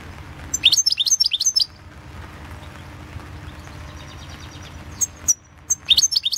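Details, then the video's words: Balkan goldfinch competition recording from 2016: a fast tumbling twitter of bright rising notes, a quieter stretch with faint tinkling, then another rapid burst of high chirps. "Pesma štiglića Potić Slobodan 011/2016 World championship in Goldfinch Song 2016"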